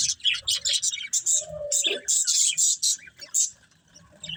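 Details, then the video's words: Budgerigars eating green food, giving rapid high, squeaky chirps in bursts of about two a second, with a brief lower warbling note in the middle. "Beautiful Budgies Enjoying Eating Green Food | Love Birds Chirping Sounds"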